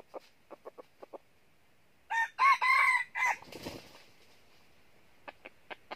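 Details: Red junglefowl, a decoy bird used to lure wild junglefowl into a trap, gives quick, soft clucks, then a loud, harsh, clipped crow of about a second, a burst of wing-flapping, and more scattered clucks.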